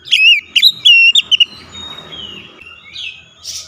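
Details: Oriental magpie-robin song used as a lure to get a quiet bird to sing: a quick run of loud whistled notes in the first second and a half, then soft rustling noise and faint thin whistles.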